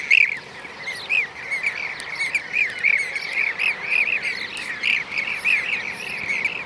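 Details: Blue-cheeked bee-eater (Merops persicus), Şanlıurfa, Turkey, 2016: short rolling, liquid trilled notes repeated roughly three times a second in a steady rhythm. A softer chorus of the same calls and faint high bird ticks sit behind.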